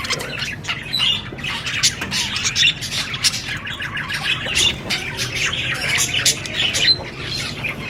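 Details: Budgerigars chatter in a steady run of scratchy chirps and brief squawks, louder spikes now and then, over a faint low hum.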